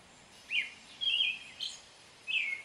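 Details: A few brief, clear whistled phrases from an American robin, a rising note followed by a longer slurred phrase and a final falling whistle, with light background noise.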